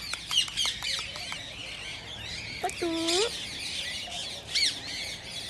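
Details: Green rose-ringed parakeets chattering, calls meant to stimulate other parakeets to sing and mate: continuous high, scratchy twittering and squeaks from many birds, with brief rising whistles and one lower whining, harmonic call midway.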